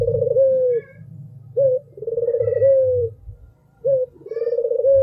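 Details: Albino Barbary dove giving repeated coos, each a short upward note leading into a rolling, quavering coo that eases downward. Roughly two and a half phrases, with faint low rumble and a quiet high chirp behind.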